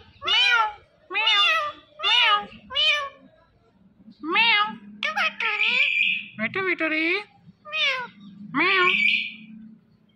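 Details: Pet Indian ringneck parakeet repeats a two-syllable word four times in a steady rhythm, then a faster jumble of harmonic, speech-like calls with a high buzzy trailing tone.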